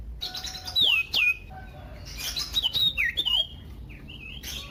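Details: [1, 'likely', 'song', 'Common iora (sirtu, cipoh) song, loud and varied, used to prompt other ioras to sing. Clear slurred descending whistles come early, then a run of short, bright whistled phrases with quick upward and downward inflections, over faint background hiss.']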